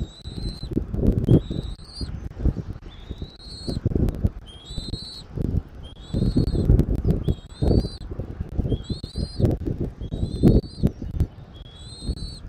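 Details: Eagle at its nest in Southwest Florida, 13 January 2024 at 14:17, captured by a nest camera: thin, high, slightly upslurred chirps repeated about once a second, over heavy low rumbling wind and thumping noise.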